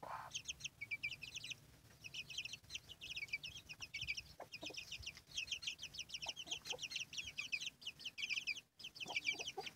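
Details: A hen chicken with her brood: constant shrill, slurred peeping from many chicks throughout, with only faint low clucks from the hen now and then.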